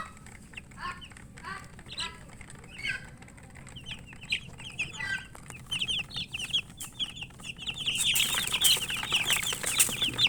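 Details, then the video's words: Feeding chicks keep up rapid, high-pitched chirps, sparse at first and then growing busier and louder, with a burst of rustling noise near the end. "Murgi chicks Chirping sounds and eating"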